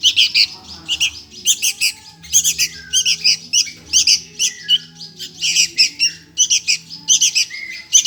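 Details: Sooty-headed bulbul (kutilang) chick begging for food: harsh, raspy squawks in rapid, uneven bursts of roughly two per second, continuing throughout, over a faint low steady hum.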